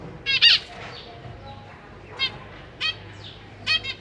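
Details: Caged zebra finches, a pair of parents with three juveniles and three newly hatched chicks, while the parents feed their young: a few short nasal harmonic calls in brief bursts, with quiet gaps between.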